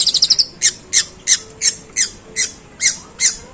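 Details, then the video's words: Long-tailed shrike with harsh, drawn-out sparrow-imitating notes: a quick rattling burst of five high chirps, followed by eight loud, scratchy chirps repeated roughly every third of a second. "Suara pentet tembakan gerejaan panjang dan kasar"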